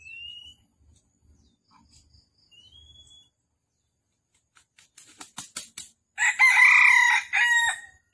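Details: Red junglefowl recorded during a trapping session in Vietnam on the morning of 13 December 2021: a few soft clucking notes, then a loud, harmonic, drawn-out crow near the end, with a thin rising whistle early on.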